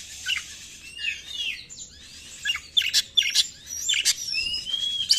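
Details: White-rumped shama song used to lure other birds: soft whistles and slurs, then loud sharp chips and bright rising whistles in quick bursts.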